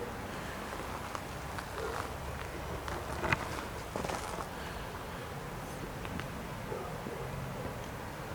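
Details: Quiet outdoor ambience with scattered footsteps and faint rustling, and no animal calls.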